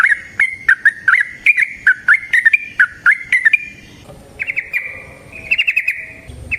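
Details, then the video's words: Yellow-vented bulbul song used as a lure for other bulbuls. Brisk bubbly whistled notes repeat for about four seconds, then a softer passage of higher, quick trilled notes follows. "Trucukan GACOR ngalas ROPEL PANJANG suara alam AMPUH buat pancingan"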